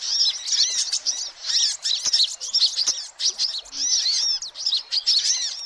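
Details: A sunbird call used as a lure for all sunbird species: dense, busy chatter of high, thin chips and twittering notes, some rising and falling in quick sweeps, pouring out almost without pause.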